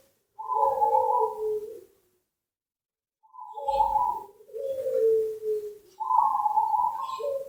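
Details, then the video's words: Zebra dove, known locally as perkutut, singing actively: soft, trilled two-pitched coos of about a second and a half each, separated by short silences, in a quiet setting. "Suara Burung Perkutut Gacor Dor"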